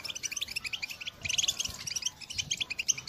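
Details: European goldfinch singing in 2022, used as a call song to encourage other birds: rapid liquid twitter of bright high notes, a short pause near one second, then a louder burst of chirps.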